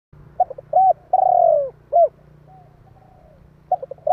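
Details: Spotted dove (cu gáy) calling to provoke and lure other doves: short cooing notes, a long throaty falling coo, then a brief coo, phrase starting again near the end; low hum underneath.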